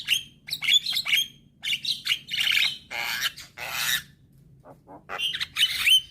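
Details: Black-winged starling, a young bird, singing to provoke silent starlings into song: loud harsh squawks mixed with sharp whistled phrases in dense bursts, a short quiet gap, then more ringing whistles.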